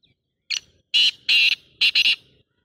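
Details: Black francolin calling: a short harsh note, then two longer grating buzzy notes, then a quick double burst, all rasping and high-pitched, in an otherwise quiet setting.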